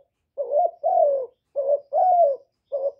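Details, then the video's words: Spotted dove, a decoy bird, recorded directly without background noise, giving low soft coos in pairs: a short note followed by a longer, slightly falling note, with about two and a half phrases in three seconds. No other sounds. "Cu gáy hạp bổi {GÁY GỌI+THÚC+KÈM+GÙ khống} kích bổi hiệu quả. Cu đất gáy, tiếng cu cườm."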